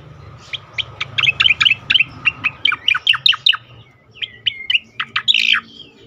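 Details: Sweet-sounding striated grassbird song used to coax other songbirds into singing: a fast, steady string of crisp high chirps and twittering notes, a short break, then slurred whistles and a buzzy flourish.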